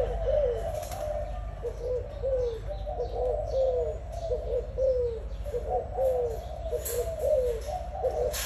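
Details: Spotted dove, newly singing with a loud voice, giving soft low coos in repeated groups over about eight seconds, with steady low background hum and faint higher chirps.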